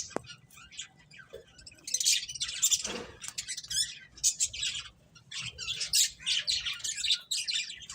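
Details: Finches feeding: scattered chirps at first, then a busy run of high, quick twitters from several birds, with a faint knock near the middle.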